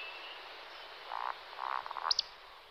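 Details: Two male Eurasian woodcocks on their roding display flight: faint, distant low grunts in a short run, then a pair of sharp high squeaks at the end.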